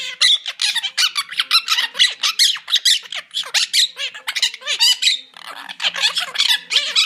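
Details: A pair of monk parakeets kept in a cage keep up a steady stream of rasping, squeaky chatter. Short notes come several per second, with a few sharp upward and downward inflections, indoors.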